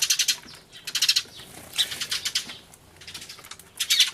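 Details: A flock of sparrows raising a racket on 24 March 2013, filmed with a camcorder near a turtledove; clusters of fast shrill chirps in several bursts separated by short lulls and softer chatter.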